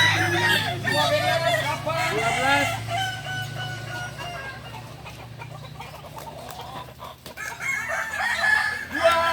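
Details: Balenggek roosters at a crowing contest in Ampang Kualo, Solok city: long multi-note crows with stepped rising and falling tones, overlapping from several birds, with a steady low hum and crowd noise beneath.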